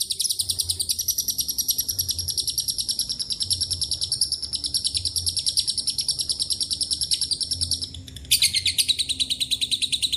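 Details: Lovebird in sustained ngekek chatter mixed with cililin and canary phrases; a fast, high rattle runs for about eight seconds, drops briefly, then resumes with a lower-starting, rising burst of rapid notes.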